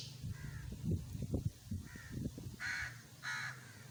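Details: Black francolin in Khushab, Pakistan, giving two loud, harsh, grating notes near the end, each rich in harmonics. Softer rasping notes come earlier, over low rumbling background noise.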